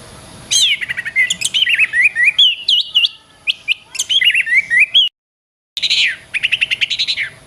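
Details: Kacer, or Oriental magpie-robin, singing masteran song for training songbirds: a long flowing series of undulating whistles and chips, a brief silent break, then a rapid trill of even chips.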